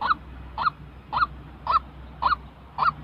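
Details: White-breasted waterhen, a real bird's call meant for training decoy birds for trapping: six loud, slightly rising 'kook' notes spaced about half a second apart, each with a rough, honking edge, against a faint low hum.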